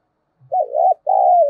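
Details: Spotted dove decoy cooing, used as a lure to provoke other doves into calling: a faint low note, then two loud, mellow coo phrases, the first wavering and the second drawn out and falling slightly at the end.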